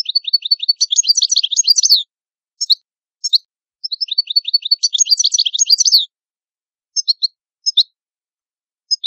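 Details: European goldfinch, Italian cardellino, singing: rapid tinkling runs of sharp chirps, each burst about one to two seconds, separated by short pauses with a few isolated twittering notes, clean background.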